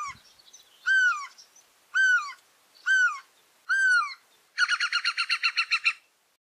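Great Spotted Cuckoo: four harsh, down-slurred notes about a second apart, then a fast grating chatter of a dozen notes.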